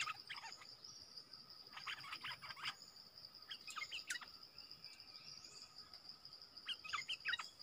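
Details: Wild streaked bulbul, a forest bird used for a lure recording that drew a whole family group, giving short clustered bursts of sharp chirping notes in three spaced groups over a steady high insect drone.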